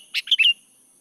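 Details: Sooty-headed bulbul giving a loud, brief three-part phrase of bubbly, slightly descending notes, a song used to lure birds.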